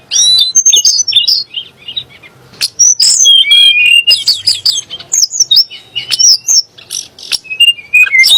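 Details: Sunda blue robin song that provokes magpie-robins and shamas; energetic, high-pitched phrases of squeaky whistles, quick slurs and buzzy notes, roughly two or three elements a second, continuous and loud.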